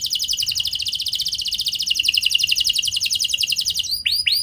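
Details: Canary lure song: a long, fast, dry trill of high repeated notes, slightly lowering in pitch, ending with a couple of looping swept whistles.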